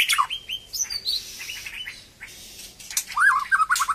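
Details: White-rumped shama newly back in song after moulting: a few harsh scratchy notes and a short whistled phrase, then a pause of faint noise before a final rippling whistled trill.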